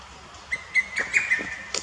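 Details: Lesser cuckoo in Akita City botanical garden, Japan, 21 May 2018, giving a single fast phrase of several punchy whistled notes, likened to "ho-to-togisu", with a brief faint chirp at the end.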